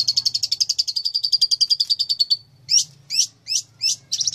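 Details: Long-tailed shrike, presented as a fighter master bird, delivering a fast pulsing trill that gradually slows and drifts lower, followed by five well-spaced, sharply hooked chirps; a low steady hum runs underneath.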